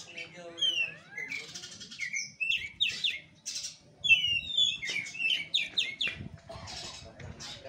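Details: Oriental magpie-robin singing in a fighting style, a varied run of sharp whistles, quick rising and falling slurs and buzzy bursts, with faint low rumbling underneath.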